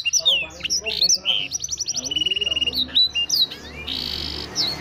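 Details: Canary singing with a blackthroat-style imitation, recorded in Wiradesa, Pekalongan; rapid varied song mixing high whistled sweeps, fast buzzy trills and repeated chip notes, ending on a sustained rattling trill.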